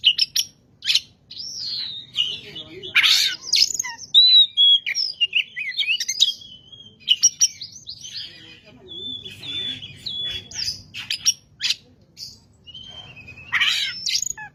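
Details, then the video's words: Oriental magpie-robin singing energetically, used as a lure recording to stir up other magpie-robins: a long, varied run of clear whistles, sliding notes and harsh bursts. Some phrases are held near one pitch, with short silent gaps and a faint low hum. "pancingan burung Kacer gacor ini bisa mendobrak emosi Kacer anda"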